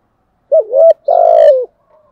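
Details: A spotted dove coos in thổ sấm style. A rising, wavering opening note is followed by a drawn-out rolling coo that falls slightly at its end, then faint soft notes trail off in otherwise quiet surroundings.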